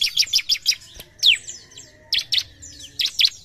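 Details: Bar-winged prinia singing aggressively toward a rival: a quick rattle of four bright chirps, then spaced, descending whistled notes and paired chirps.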